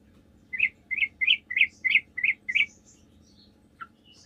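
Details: Sooty-headed bulbul singing a 'gacor' lure meant to make other bulbuls reply: seven short, bright chirped notes in an even series, one every third of a second, then a pause and a single lower note.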